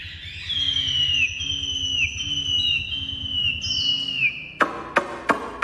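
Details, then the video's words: Caged Chinese hwamei, described as fully tame, singing long sustained whistled notes that slur downward at each phrase end, repeated several times, then sharp clicks and knocks near the close; faint background music and a low hum. "hót tốt | Họat Họa Mi"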